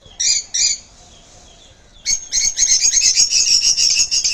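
A sun conure gives harsh, high screeches, first two short bursts, then a fast rasping run.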